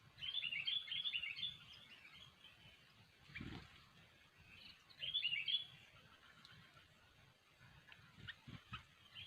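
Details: Sooty-headed bulbul song played as a trapping lure: short warbled phrases of rapid slurred whistles at the start and middle, with a thud and a constant hiss in the background.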